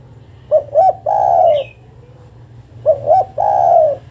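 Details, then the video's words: Spotted dove female calling a male, giving two phrases of two quick hooting notes and a long smooth coo, the second phrase starting after a brief pause, with low background rumble. "Suara burung derkuku betina memanggil jantan"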